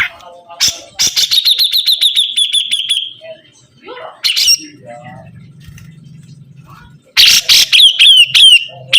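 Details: Sibuntung bird in full, energetic song: a rapid train of sharp, high chirps with downward slurs, a harsh burst, a quiet middle with a low hum, then another loud burst of fast chirping.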